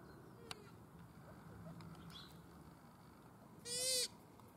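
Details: Australasian swamphen, called pukeko, at a Christchurch park in April 2019. After quiet low background noise, one short, loud, rasping harmonic screech bursts out near the end.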